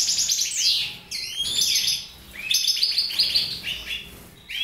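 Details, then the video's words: Mutation goldfinches sing fast, bright twittering phrases of liquid trills and high tinkling notes, with short pauses between bursts. "Mutation Goldfinches"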